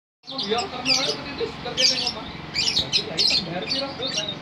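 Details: Lovebird in long trilling song: rapid high chirps and twittering notes in quick clustered bursts, running continuously for several seconds, over a low murmuring background.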